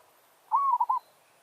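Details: Village-kept zebra dove used as a lure for wild doves, singing a territorial challenge: one phrase of a rising-then-falling cooing note followed by three quick rolling notes, in a quiet setting.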